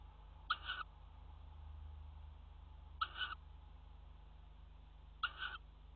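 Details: Tawny owl at a water tower nest box, recorded 5 February 2018 as a pair mates on the ledge; three harsh, two-part screechy calls come about every two and a half seconds over a steady low hum.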